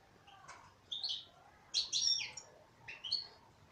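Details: Song of a female European goldfinch: separate bursts of tinkling, buzzy twitters about a second apart, the middle phrase loudest and fullest.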